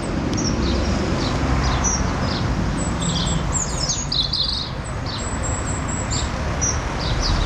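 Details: A goldcrest (Regulus regulus) feeding in Norway spruce in a front garden in Hull gives very high, thin, faint tsee calls in quick scattered bursts over a steady low wind rumble; sparrows, dunnock, robin and collared dove are in the background.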